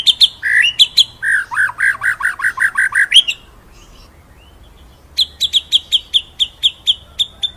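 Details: A murai batu, or white-rumped shama, master song in ngerol nembak style: varied whistles leading into a fast, lower, repeated warble, a two-second silence, then a string of high, sharp, evenly spaced notes.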